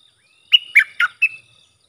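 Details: Bulbul phrase in the sap dok, boen and rik styles, for hand-fed chicks and juveniles to copy: four clear notes, a steady whistle, then two tumbling warbled notes and a final whistled note, a faint thin tone behind.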